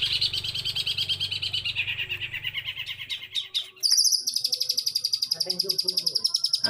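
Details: Eight-month-old Long-tailed shrike from Jember, East Java, singing one continuous breath of mimicked material learned from other birds: a dense, rapid high chattering that breaks into fast buzzy trills, with low hum beneath.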